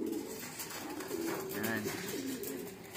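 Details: Pigeons in their loft: a drawn-out, low throaty coo that swells and wavers across the second half, with soft flutters and faint background noise in a small enclosed space.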